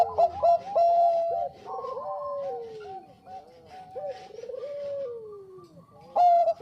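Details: Bangkok-type zebra dove singing vigorously, lure recording: loud rapid coos and a sustained note, then a long soft vibrating trill descending, before another burst of loud clear coos.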